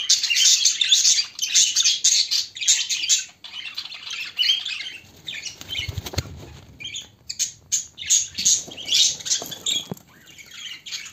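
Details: A pair of pet budgerigars chatter in a fast, scratchy warble of high chirps and squawks, with soft thumps midway.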